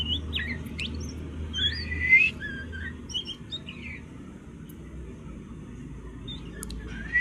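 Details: Juvenile oriental magpie-robin learning to sing: scattered whistled notes, slurred rising and falling phrases and short chirps with uneven spacing, over a low steady background hum.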